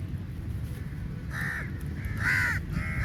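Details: Big crow flock attacking food at feeding time: quiet at first, then three or four loud, grating caws in the second half, over low background rumble.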